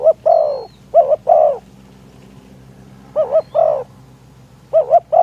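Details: Luring wild doves with a decoy spotted dove on a windy day: repeated two-part cooing phrases, a brief double hoot and a longer sliding croo, with a quiet hum in the background.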